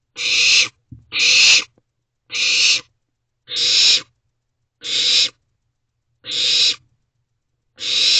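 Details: Night recording from an owl nest box, 3:21 am, 28 May 2023: evenly spaced, breathy screeching hisses, each about half a second, repeated every second or so against near silence.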